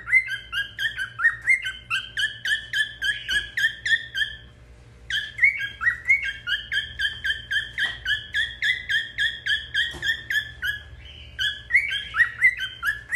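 A cockatiel sings a long run of bright, warbling whistles and chirps, with only brief pauses.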